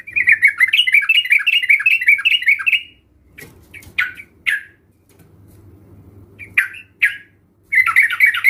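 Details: Sooty-headed bulbul, played to stimulate other birds to sing, delivers a rapid chattering series of repeated notes, then scattered short sharp calls over a faint low hum, ending with the fast phrase again.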